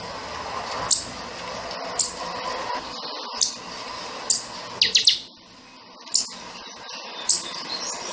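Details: Chanchão-style song of a pixoxó, the buffy-fronted seedeater: single piercing high chips repeated about once a second, with a quick triple burst near the middle and a faint background hum.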